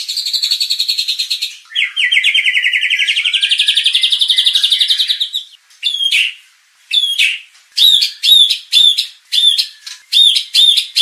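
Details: White-rumped shama lure song for training competition birds to get worked up and sing. It opens with a long, rapid buzzy trill lasting about five seconds, then gives sharp, ringing notes repeated roughly every half second.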